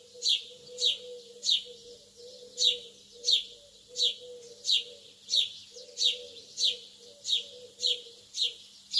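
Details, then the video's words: Lovebirds tweeting early in the morning. Piercing high chirps repeat steadily, about one every 0.6 seconds, roughly fourteen in a row, over a faint continuous low hum. "تغريد طيور الحب في الصباح الباكر"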